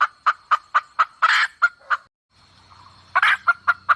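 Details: Forest hen calls used as lure bait for red junglefowl: quick evenly spaced clucks broken by a harsher drawn-out squawk, a short pause with low rumble, then more squawking and clucks.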